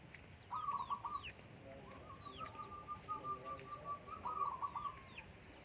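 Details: Zebra dove singing in the morning on the slopes of Menoreh while farmers have breakfast: a rapid, rolling staccato coo burst, then a long trilled phrase and a final burst, with thin chirps of other small birds above.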